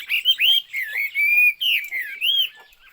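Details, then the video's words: Chinese hwamei singing: loud, rich whistled phrases sliding and wavering up and down, some long steady notes, with short pauses between bursts. "burung hwamei/wambi Joss suaranya"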